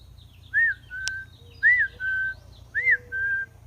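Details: Bobwhite quail giving clear whistled two-part phrases, an arched note followed by a level one, repeated three times about once a second, with a single sharp click and a faint low hum beneath.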